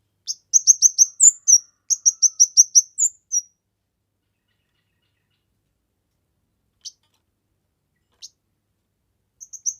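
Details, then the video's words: Kemade singing for masteran and luring: two quick back-to-back strings of high, sharp chirps with a whistled flourish at the end of each, followed by a long pause broken only by faint isolated ticks. "Burung Kemade GACOR...Cocok untuk MASTERAN, PIKAT DAN PANCINGAN"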